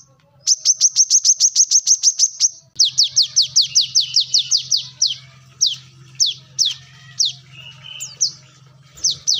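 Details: Brown-throated sunbird singing vigorously: a quick, even run of high thin notes, then slower, downslurred whistled notes growing more widely spaced. A steady low hum lies beneath.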